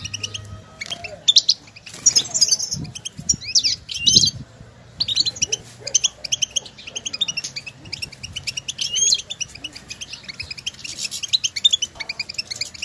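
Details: European goldfinches recorded outdoors in nature, calling to one another with stimulating calls meant to prompt a caged goldfinch to sing. Dense, rapid high chirps and twittering from several birds, with brief tinkling trills and faint low background rumble.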